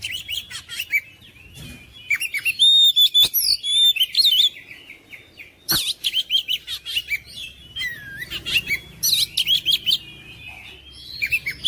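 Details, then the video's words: Energetic oriental magpie-robin song aimed at provoking mute magpie-robins to sing persistently: dense, fast-repeating chirps and whistled twists, about three notes a second, broken by short pauses and sharp clicks. "KICAUAN KACER MENGOYAK KACER BISU MALAS BUNYI JADI NGOTOT GACOR"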